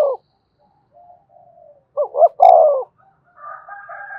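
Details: A spotted dove kept as a decoy for a fresh-caught bird gives one full phrase: two rising hoots and a long falling coo. Faint low notes come before it, and a buzzy harmonic sound and the start of another coo follow.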